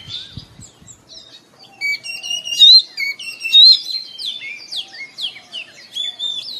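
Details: Song of Oriental magpie-robin at morning, used to encourage caged birds to sing: a few low knocks at first, then ringing whistles and sweeping downslurred notes.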